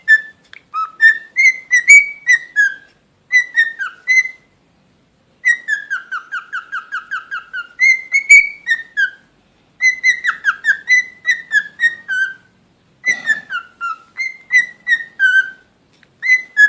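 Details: A pet cockatiel (Nymphicus hollandicus) whistles clear, warbling phrases that slide up and down, with brief pauses between bursts.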